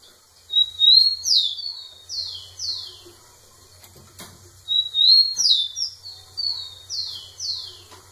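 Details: Rufous-collared sparrow, a male singing right in front of a female, gives high whistled songs: an even opening note then a run of falling slurred notes, sung twice, with a low faint hum underneath.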